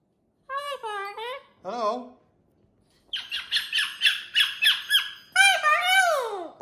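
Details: Indoor pet cockatoo on a TV stand giving two short, harsh squawks, a pause, then a rapid series of loud rasping calls and a falling screech, while a person greets it.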